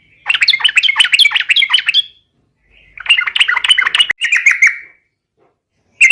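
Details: Yellow-vented bulbul singing a bursty, chattering 'gacor garuda' lure song. Two long runs of quick jumbled notes are separated by a pause, and a third burst starts at the end. One sharp click cuts in partway through.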